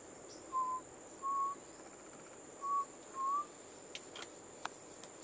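Undulated tinamou giving four hollow, pure whistles in two pairs, the final note rising slightly, over a steady high insect whine and a few faint clicks.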